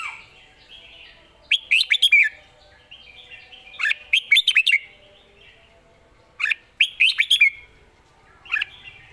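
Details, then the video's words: Red-whiskered bulbul song: repeated bursts of quick, bright, warbled whistled notes, about four phrases in nine seconds, each a rapid cluster of chirps, with quiet gaps between. "สำนวนดี ปากเบานกดาวรุ่ง"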